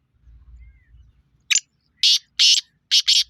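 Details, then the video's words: Black francolin calling on 23 February 2025: one loud, harsh, buzzy series of five grating notes over about a second and a half, with the last two notes close together, after a faint low hum. "KALA TEETAR KE AWAZ"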